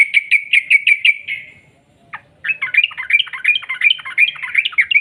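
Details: Sooty-headed bulbul in gacor form singing the long 'ropel panjang' rapid-trill style, used as a lure to make other bulbuls sing: six sharp chirps in quick succession, a short silence, then a jumbled, bubbly chattering run.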